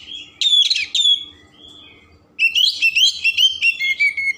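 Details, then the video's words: Kept Oriental magpie-robin singing a full varied song used to excite other birds and make them open their tails: bright whistled notes, a lull, then a fast string of sweet rising and falling whistles repeated quickly. "Kacer Gacor Isian Mewah Merangsang/Perangsang Emosi Buka Ekor"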